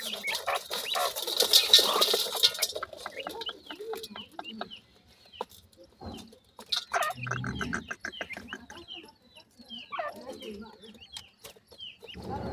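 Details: Grey francolin (teetar) chicks giving rapid, thin, high-pitched cheeps, many overlapping at roughly three per second, with loud rustling and clicking handling noise in the opening seconds and scattered soft clucks.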